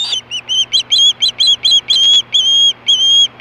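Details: Screaming for fish at Hellgate, 2014, 4:19 PM, an osprey gives about a dozen short, piercing whistled notes, some slurred and longer, spaced roughly a quarter second apart.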